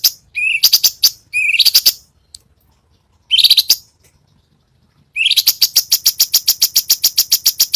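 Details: Cucak cungkok master song for contest birds such as murai batu and cucak ijo: short bursts that begin with a rising whistle and break into rapid chips, then a steady series of clipped high notes, about three per second.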